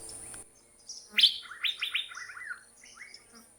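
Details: Asian fairy-bluebird in Thailand, recorded on a handheld sound recorder: a sharp upswept note followed by a rapid series of descending, slurred liquid whistles, then a short rising phrase after a pause.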